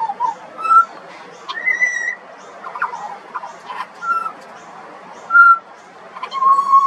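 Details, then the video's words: A juvenile pied butcherbird (Cracticus nigrogularis) sings clear, fluty whistles, short pure notes or slurred phrases about a second apart, with faint chatter of other birds behind. "Butcherbird. Bird Singing."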